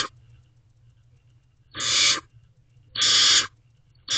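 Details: Nest-box barn owl owlets at midnight, 21 May 2023, one preening its sibling as they await a food delivery; rasping noisy hisses of about half a second, two full bursts over a second apart with clipped edges, steady low hum.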